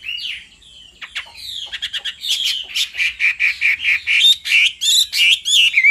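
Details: Singing male hwamei, roused by a female: a short whistle, a burst of buzzy, scratchy chatter, then steady repeated whistled notes about four per second.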